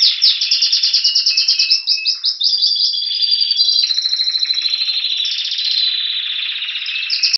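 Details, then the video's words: Spanish Timbrado canary, caged in Greece in February 2016, singing before spring: strongly pulsed high notes repeated rapidly, a short pause with a low whistle, then metallic rolling tours and a steady trill, ending in a burst. "Canario Timbrado Espanol esperando la primavera"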